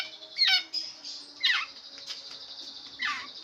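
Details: Long-tailed shrike, a bird with many song variations, giving three separated downward-sweeping squeaky phrases spaced about a second apart over a steady faint high hiss.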